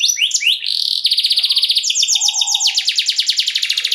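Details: Canary in luxurious lure song for other canaries: a few quick swooping notes, then steady fast trills changing pitch in several tours, buzzy and rhythmic throughout.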